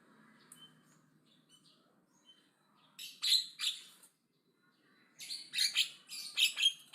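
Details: Aggressive Javan myna chattering loudly, with scattered faint whistles followed by two bursts of harsh, grating notes, each a cluster of three or four rough syllables separated by a brief silence.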